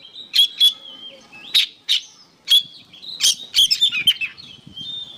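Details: Oriental magpie-robin singing on a songbird training recording: sharp high chips and short whistled notes in bursts, separated by brief quiet gaps, with faint low rustling underneath.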